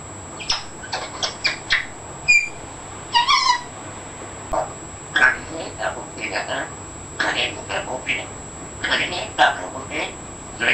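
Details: A 14-month-old African grey parrot repeats new words in a steady stream of speech-like syllables, mixed with brief whistled and squeaky tonal notes, indoors.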